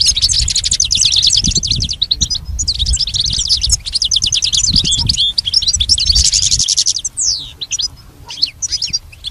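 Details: Pet goldfinch training song: long stretches of dense, rapid, high twittering with liquid trills, then slower sweeping whistled notes and scattered chirps toward the end.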